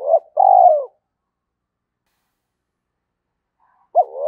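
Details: Spotted dove call used to rouse decoy doves into cooing: one phrase of short note and long falling coo, then a long silence before the next phrase begins and is cut off.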